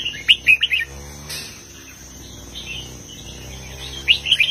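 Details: Red-whiskered bulbul singing in the southern Thai 'mae bot tai' style with heavy phrasing: a quick burst of three or four bright warbled notes opens, a pause follows, then another short chirpy phrase closes.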